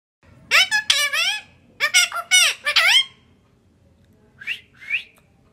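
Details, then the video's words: Pet parrot talking in English and Hindi, indoors: a run of harsh, word-like squawky syllables with strong falling and rising tones, a pause, then two short higher squeaky notes; low room hum beneath. "Parrot talking in English & Hindi"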